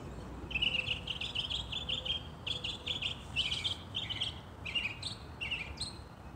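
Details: In a holly tree in New Jersey during spring, a northern mockingbird delivers a steady stream of repeated, varied notes, some buzzy and some whistled, changing phrase every second or so against faint background rumble.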